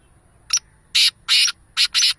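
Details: Kala teetar, the black francolin, gives its rasping call: one brief high note followed by four strong buzzy, scratchy bursts grouped in pairs, with nothing else notable heard.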